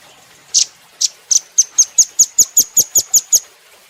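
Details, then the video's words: Cage-kept velvet-fronted nuthatch in a training recording, giving a rapid string of high, piercing chip notes, a few spaced opening notes, then about ten evenly repeated ones in a tight rhythm. "Rambatan Doraemon Super Gacor"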